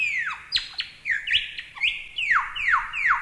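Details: A short lyrebird phrase for song training: loud whistled notes that slide downward, ending in three quick, similar falling slurs about three per second, with a few sharp clicks between.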